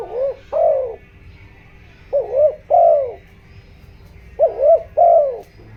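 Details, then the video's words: Low, mellow cooing from a spotted dove kept as a decoy, giọng đồng style, used to excite wild doves: three paired phrases, a quick double-humped note then a longer downslurred coo, with faint background hum. "chim cu gáy mồi, tiếng chim cu gáy kích bổi, tiếng chim cu gáy giọng đồng ,tiếng chim cu gáy hợp bổi"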